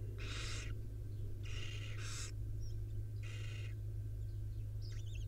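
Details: Wild barn owl mother grooming her five owlets at the nest. Three rough screeching hisses come in close succession, the second doubled, then a brief squeaky twitter at the end, over a strong steady low hum.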